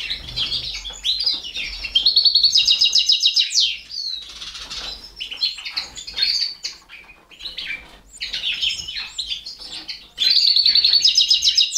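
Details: Balkan goldfinch in captivity feeding four canary chicks; bursts of very fast, high trilled begging chirps, a loud spell near the start and another near the end, with wing flutters and soft twittering between.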